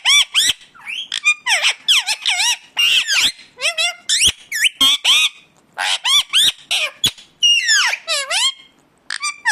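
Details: An Indian ringneck parakeet calling in its natural voice, a string of loud, grating screeches and warbled squawks, some swooping down in pitch, delivered in quick bursts separated by short gaps.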